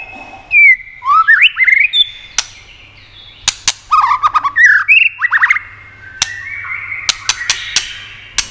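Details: White-rumped shama song meant to stimulate other shamas: bright rising whistles and quick slurred notes, then a run of sharp separate clicks spaced about half a second apart, with soft hissing notes at the end.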